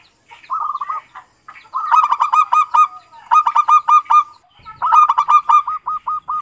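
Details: Zebra dove of the local type, a kept bird, giving four phrases of soft, ringing coos. Each phrase is a quick series of bright, clipped notes with short pauses between phrases. Recorded as a lure to get other doves singing.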